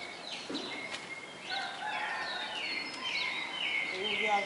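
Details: Red-cowled cardinal kept in captivity for about four months in Fortaleza, Ceará, Brazil, singing a song praised as having over twenty notes: clear whistled notes with rising and falling slurs, overlapping phrases delivered steadily over a soft background hiss.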